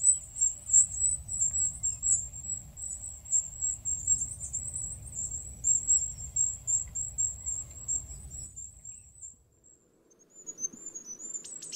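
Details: Wild goldcrest recorded free-living, giving a long run of very high, thin, rapid seee notes near the top of hearing, continuous for about nine seconds, over steady low rumbling background noise.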